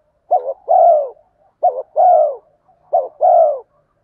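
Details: Spotted dove cooing, male and female birds calling to stimulate training birds; three paired phrases, a brief dipping note then a drawn-out mellow coo, repeated roughly every 1.3 seconds, no other sounds.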